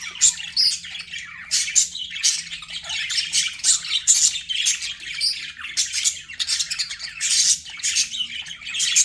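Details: Captive budgies keep up a continuous, high, raspy chatter of rapid chirps and squawks, pulsing in louder bursts about every half second throughout.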